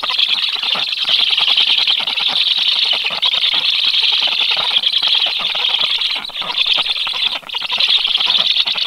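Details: Black stork chicks at the nest on 13 July keep up a loud, high, wheezy rasping, a rapid pulsing hiss with two brief dips: begging by reflex as an unknown black stork moves nearby, but no feeding follows.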